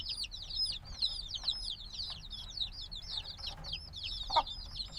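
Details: Young black chicken chicks hatched a few days ago make a softer, blurred stream of thin high peeps, many birds calling at once with little gap, and one louder knock near the end; binaural recording.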